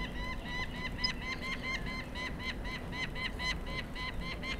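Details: Peregrine falcon calling at the nest, a steady fast run of clipped, nasal, harmonic-rich notes about five per second throughout, over a constant low rumble of wind or background noise.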